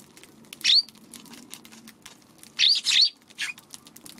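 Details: Several Eurasian tree sparrows gathered near a feeding spot one March afternoon, hesitant to approach a Godzilla figure set there; one sharp chirp, then a quick double chirp and a softer note after quiet gaps.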